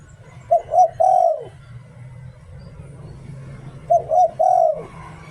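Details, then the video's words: Decoy spotted dove singing "liu tan" twice about three seconds apart, each phrase two short coos and a long low coo sliding downward, over a soft steady hum. "เสียง "หลิ่วตัน" นกต่อ"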